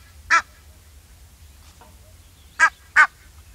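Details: An Egyptian goose gives one rasping honk, then after a pause of about two seconds two more quick honks close together. Quiet low rumble underneath.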